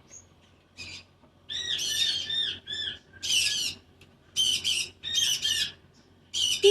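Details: A pet cockatoo, handled indoors while being coaxed to step up, gives harsh, raspy squawks in quick bursts of about half a second, some grouped in twos and threes, with a quiet room hum between.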